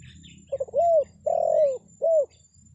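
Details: Luring call of a spotted dove, meant to draw answers from wild birds: a brief double stutter, then three mellow coos, the middle one longest and slowly falling, with a low background rumble.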